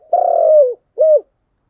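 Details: Spotted dove, 'giọng đồng' voice style, delivering one long, throaty coo that slides gently downward, followed by a brief rounded closing coo; clean recording with no other sounds.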